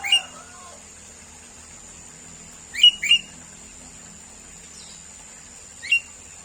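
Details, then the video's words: Sooty-headed bulbul calling with brief, bright upslurred whistles, a quick double note in the middle and single notes near the start and end, spaced by quiet pauses over a constant high hiss. "SUARA BURUNG KUTILANG - BURUNG CANGKURILENG"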